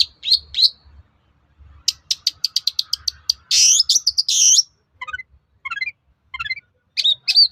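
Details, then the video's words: Long-tailed shrike song to provoke other shrikes to reply: a rapid ticking series of sharp notes, a loud harsh rasp, then short descending trilled phrases and closing chirps. "SUARA PANCINGAN BURUNG CENDET AGAR MAU NYAUT GACOR"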